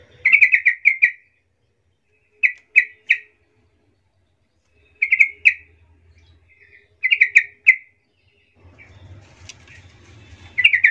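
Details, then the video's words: Repeated bubbly phrases from a yellow-vented bulbul, a soft-voiced lure to get other bulbuls to respond: short rippling bursts every two to three seconds, with low background rumble near the end. "Di jamin langsung Nyaut trucukan Lain mendengar suara pancingan trucukan suara empuk ini"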